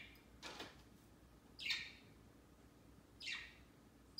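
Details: Pet budgerigars kept in a cage at home, climbing and flocking on a large Christmas tree set beside their cage on Christmas Day, their first Christmas. Three short, sharp, downward-sweeping chirps spaced about a second and a half apart, in a quiet room.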